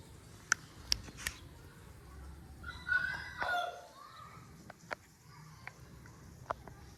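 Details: Long-tailed Aseel rooster giving a short, hoarse crow of about one second, rising then falling, amid sharp scattered clicks and taps before and after, over a low background hum.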